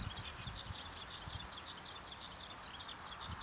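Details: Zitting cisticola calling in the evening from a farm field it flew into, series of short high chirps repeated steadily, with low rumbling background noise.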